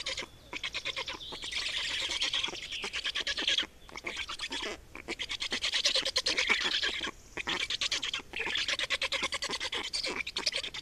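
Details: At an Estonian black stork nest, 28 May 2019 around 8:13, during nest change and feeding: harsh rasping pulses in rapid rows of about three per second, broken by short silent gaps, steady and insistent.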